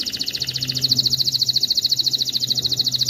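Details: Canary song used to coach chicks and prompt females toward mating: a steady, very fast high rolling trill of identical notes, with a constant low hum underneath.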